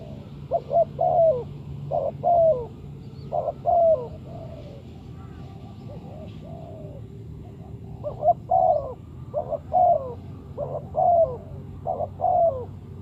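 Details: Spotted dove used to lure birds for trapping, giving repeated cooing phrases of short hoots ending in a drawn-out falling note, several phrases in a row with brief pauses, low background hum.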